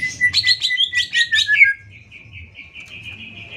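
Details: Greater green leafbird singing as a training model for other birds: a quick series of chattering buzzy notes over a steady whistled tone, fading into a thin sustained high note.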